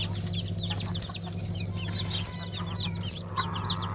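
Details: Black Ameraucana / Araucana chickens from a 2020 season flock; many shrill arched peeps overlapping in a busy chorus, with a constant low droning hum and a few soft thumps.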